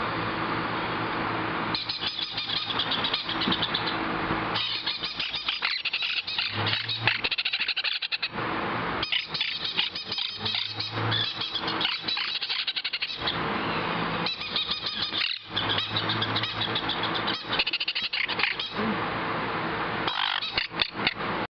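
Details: Four young blue-mutation Monk (Quaker) parakeets give harsh, raspy chattering calls in repeated bursts separated by brief pauses.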